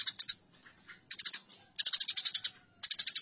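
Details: Fighting Eurasian tree sparrow giving clipped, dry chirps in quick runs, with short gaps and a few fainter notes between bursts.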